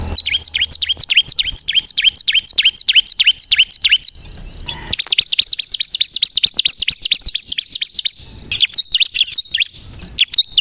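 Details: Bar-winged prinia singing persistently, used to lure birds and provoke other prinias to sing: sharp notes dropping from high to mid pitch, about four per second, a brief break near the middle, then a denser, faster run of chirps.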